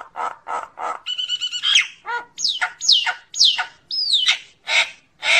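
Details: Common myna calling to its flock: coarse harsh notes, a buzzy ringing phrase, soft low gurgles, then loud sharp downslurred whistles and more scratchy calls, spaced roughly half a second apart.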